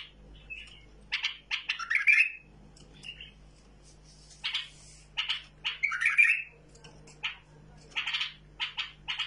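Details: Tamed bulbul alternating clusters of quick, sharp chirps with two rich, buzzy warbled bursts. Quiet pauses separate the groups, and a steady low hum sits in the background.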